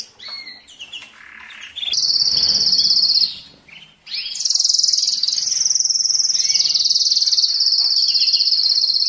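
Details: Male canary singing as a tutor and breeding stimulus: chirps and brief notes give way to a loud, sustained, very high buzzing trill, a short pause, then another long trill.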